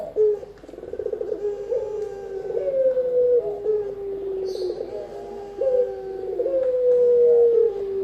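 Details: Spotted dove, sound used for luring birds and as master training sound; low mellow coos with rolling, pulsed openings and drawn-out steady notes, repeated back to back, with a brief high chirp from another bird midway.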